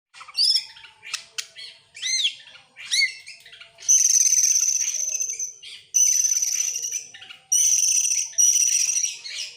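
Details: Oriental magpie-robin, excited and opening its tail, singing hard in bursts: short whistled upsweeps and arched notes at first, then three long, buzzy, high ringing trills separated by brief pauses.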